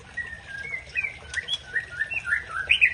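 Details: An Aceh-type white-rumped shama, singing to provoke a rival, gives a string of thin whistled notes and short chirps that grow louder and more varied toward the end.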